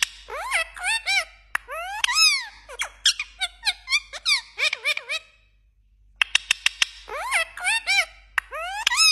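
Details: Talking parrot kept indoors, copying phone ringtones and message alerts: dense bursts of curved, harmonic whistles and clipped notes, a short quiet gap, then a volley of sharp clicks followed by more rising and falling whistled phrases.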